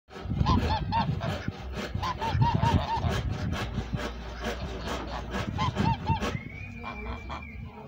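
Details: Chinese goose among a group of geese, giving bursts of nasal, harmonic honks in short repeated runs, with a thin steady whine near the end and a busy, noisy background.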